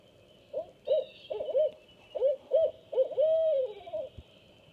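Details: Barred owl pair chanting to each other, the female on a nest with two-week-old owlets and the male hunting, their songs differing at the end. A quick rhythmic series of deep hoots ends in a long, downslurred hoot over a steady insect drone.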